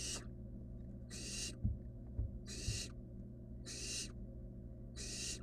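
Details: A young barn owl in the nest with a rabbit hisses in regular, airy bursts, five rasping noises about a second apart, with a constant low drone and a few faint knocks between them.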